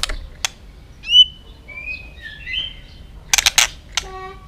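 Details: White-rumped shama song used to stimulate and train other shamas to sing: scattered clear whistled phrases, a bright rising note then sliding mid-pitched whistles, followed by sharp percussive clicks and a few low tonal notes.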